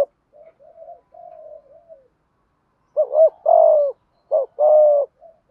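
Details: Malaysian-type spotted dove in the thúc gù cooing style. Soft, low murmured coos open the clip, then loud phrases follow: a quick doubled note and a long, hollow, gently falling coo, repeated twice.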